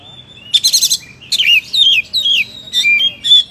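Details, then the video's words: Oriental magpie-robin (kacer) in lively song: a rapid stuttering burst of high notes, then a sequence of varied whistled slurs and short sweet phrases delivered in quick succession. "Suara Burung Kacer Gacor, Kicauan Terbaik 2021"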